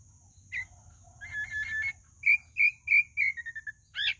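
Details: Pale-breasted thrush song: a rough doubled phrase followed by a run of five or six clear whistled notes, each slightly lower than the last, ending in a shrill rising squeak, with a constant faint high whine behind.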